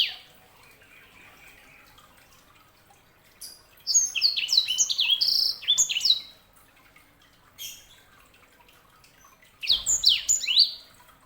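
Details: Canary hybrid known as sanger in full song: after a quiet start, a loud run of rapid, high, warbled notes with quick up-and-down slurs lasts about three seconds, followed by a short phrase and another dense burst near the end.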